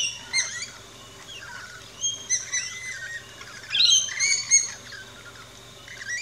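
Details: Rainbow lorikeets feeding at a backyard feeding station in Australia give scattered high chirps and short squeaky notes, with quieter gaps and a faint steady low hum underneath.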